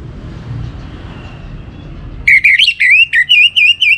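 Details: Orange-headed thrush (anis merah) giving a lure-style song: after two seconds of low rumbling background, a rapid run of about seven bright, warbling whistled notes with a slightly rising and falling pitch.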